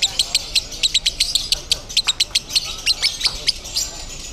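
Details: Lovebird at a singing contest in Bandung, known as 'konslet': sharp high clicking notes repeated about every quarter second, shrill and staccato, over a hiss of other birds and contest noise.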